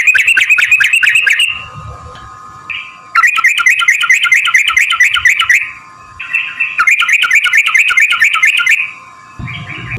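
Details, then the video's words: Long, rolling chatter of a yellow-vented bulbul, meant to make other bulbuls answer and sing: dense bubbly rattles of two to three seconds repeated after brief gaps, with a constant hum and low noises behind. "trucukan gacor TARUNG ROPEL PANJANG pancingan trucukan agar bunyi jadikan burung trucuk NYAUT gacor"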